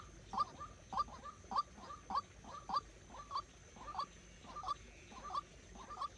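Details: Decoy white-breasted waterhen used in trapping calls steadily, a rough falling note repeated roughly every half second in an even series, quieter and slightly muffled, with a thin constant high hum behind it.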